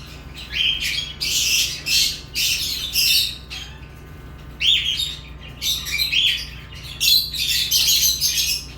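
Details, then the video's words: Lovebirds chirping: bursts of harsh, high, buzzy chirps and squawks in clusters lasting about half a second, separated by short pauses, with a steady low hum underneath. "Love birds chirping sounds"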